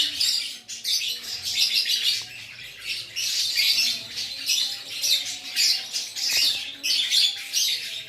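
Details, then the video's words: Aceh lovebird singing gacor: a continuous stream of shrill, scratchy chatter and squawky trills, packed in rapid bursts across the whole stretch with brief dips between phrases. "LOVEBIRD GACOR ACEH"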